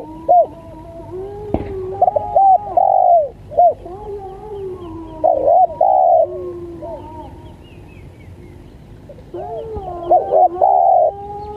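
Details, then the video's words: Spotted dove lure call for tutoring birds: groups of soft, hollow coos, each a couple of quick clipped notes and then a longer throaty coo. The groups come roughly every three seconds, with a faint background hum. "PancinganTekukur||Cocok Buat Masteran Duarasi Panjang"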